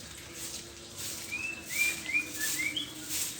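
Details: White-rumped shama singing in the morning: a short run of thin, clear whistled notes, some sliding up and some down, spaced irregularly over a steady background hiss.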